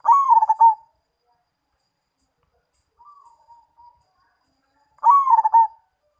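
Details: Zebra dove (perkutut) of the Mojopahit kind singing: a loud, stuttering, low cooing phrase with rapid pulses, then a softer, short trailing coo about two seconds later, and the loud phrase again near the end.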